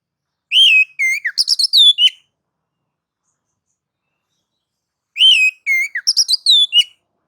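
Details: Oriental magpie-robin singing to provoke others, nagan and ngobra mode; two short identical phrases opening with a clear descending whistle followed by quick chattering notes, spaced about four seconds apart.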